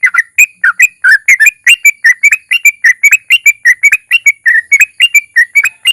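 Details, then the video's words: Singing yellow-vented bulbul (trucukan) used to spur other bulbuls to sing: a dense stream of bright, warbling whistled notes, rising and falling chirps packed closely over six seconds. "suara trucukan gacor ROPEL PANJANG DI SERTAI NARUNG Ampuh MENJADIKAN TRUCUK LAIN RAJIN BUNYI"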